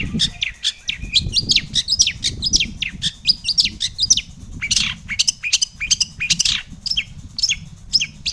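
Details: Long-tailed shrike used as a lure to get other shrikes singing: a dense, fast stream of chattering chirps and scratchy mimic-like notes, with low background rumble.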